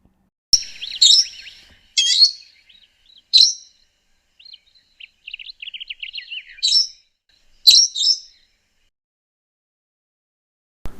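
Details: Brown-headed Parrot (Poicephalus cryptoxanthus) from Southern Africa calling: about five harsh, high screeches spaced a second or two apart, with runs of softer, rapid chattering notes between them.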